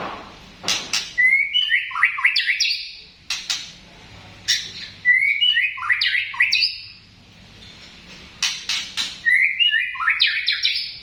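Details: White-rumped shama of the tompel type giving its cough call: three similar bursts about every three to four seconds, each a harsh noisy blast followed by a quick rising jumble of buzzy notes.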